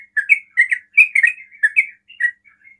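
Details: Sooty-headed bulbul's fast 'ropel' song provoking replies from other bulbuls: crowded, bubbling chirps running almost together, bright and twittery, fading into soft whistled tails at the end.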